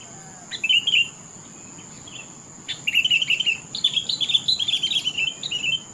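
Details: Sooty-headed bulbul pouring out melodious song: a short chirpy phrase, a pause, then an extended stream of quick, bubbling warbles lasting several seconds, over a constant thin high whine.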